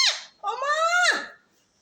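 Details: A parrot speaks to its owner: a short downward squeak, then one sustained, level, rich-harmonic vowel-like sound that drops away at the end.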